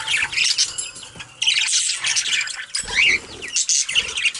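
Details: Several pet budgerigars chattering while bathing: dense, scratchy warbling and squawky notes high in pitch, with sudden broadband splashy bursts and fluttering between calls.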